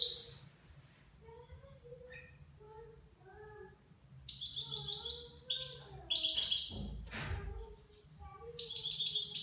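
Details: Nine-month-old goldfinch singing in the Levantine (Shami) style: high twittering bursts and buzzy trills, with softer lower whistled notes in between and a brief low thump near the middle.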